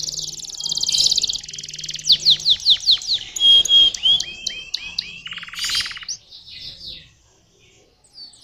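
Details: Canary song with a buzzy roll, a run of rapid descending notes, pure whistled tones and upslurs, a harsh burst, then fading to near silence.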